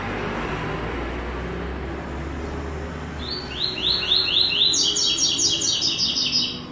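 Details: White-throated seedeater singing the classic tuí tuí zel zel with third note. After three seconds of steady background rumble, rising buzzy notes begin and quicken into a higher-pitched rapid series.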